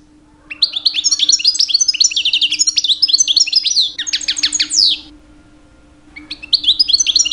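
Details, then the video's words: European goldfinch, two years old, singing constantly during mating season to attract females: a long, fast tinkling warble with sharp descending notes near its end, a short silence, then the song restarts; low background hum. "My 2 years old Goldfinch song"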